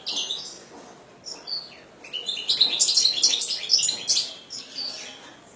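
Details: Caged European goldfinch kept as a pet, singing a rapid high twittering song of buzzy and tinkling notes with short metallic trills, quieter phrases at first, then a louder dense burst in the second half.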